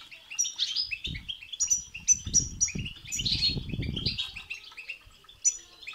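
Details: European goldfinch song aimed at getting a goldfinch to sing: lively twittering and tinkling phrases throughout, with a stretch of low fluttering, wing-like noise in the middle.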